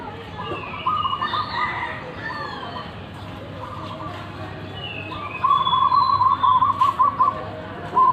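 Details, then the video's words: Local-strain zebra dove, noted for its big voice, gives a short trilled coo phrase, then a long rapid chain of beaded notes near the end; other birds whistle and chirp in rising slides in the background. "Perkutut lokal alam suara besar"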